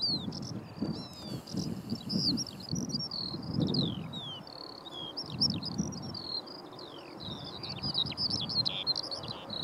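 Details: Skylark song delivered in flight above Brandon Heath, a continuous, fast, high-pitched babble of twittering and slurred notes growing denser toward the end, with gusty wind rumbling underneath.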